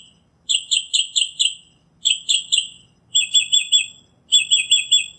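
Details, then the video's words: Northern mockingbird giving quick bursts of four to five sharp, bright, identical notes, repeated in four groups with short pauses, sounding like a rapid chirping series. "Northern Mockingbird Song, Sound, Voice, Call, Melody - Sinsonte Canto - Mimus Polyglottos"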